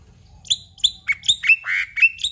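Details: Black-winged myna, known for imitating other birds, giving a loud sequence of sharp whistled chirps roughly every quarter second, several sliding downward, one longer harsh note near the end.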